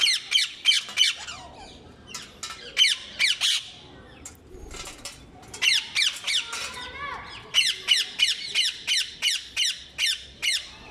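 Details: Ring-necked parrots (mitthu popat) giving loud, harsh, high squawks in rapid bursts, about three per second, with a short lull midway before a long, evenly spaced run of sharp screeches.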